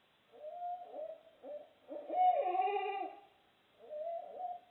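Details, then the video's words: Barred owls making loud, strange noises: a series of throaty hoots, some falling in pitch, then a louder, drawn-out wavering hoot, a pause and another hoot. "That loud, strange noises were 🦉 Barred OWLS"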